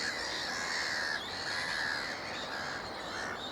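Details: Juvenile black-headed gulls at Moors Pool wetland, Upton Warren, Worcestershire, England, on 13 June 2019: harsh, drawn-out squawking calls, about four in quick succession, over a steady background of colony chatter from other waterbirds.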